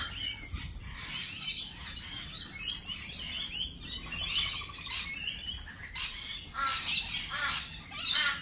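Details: Lorikeets at a cafe mix thin high chirps with rasping squawks, irregular and overlapping, growing into louder shrill screeches in the last two seconds, over low background noise.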